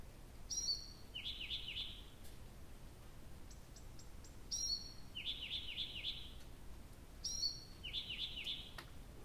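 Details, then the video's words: Nightingale singing through the night at Abramtsevo, early June, recording begun 23:00 on 6 June 2021: a sharp whistle followed by a chain of three to four buzzy repeated notes, the phrase recurring three times with soft clicks between. "Соловей поёт всю ночь"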